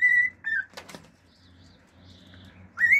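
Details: Male cockatiel singing at home: a level whistle and a short falling note, two sharp click-like bursts, quiet faint chatter, then a loud rising whistle at the end.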